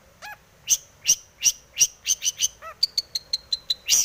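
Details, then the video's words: Varied long-tailed shrike song used to stir other shrikes to sing; soft low mellow notes, loud high chirps, then a quick even string of clear whistled pips ending in a harsh note. "cendet gacor BIRAHI full isian ini MANJUR pancingan cendet agar bunyi"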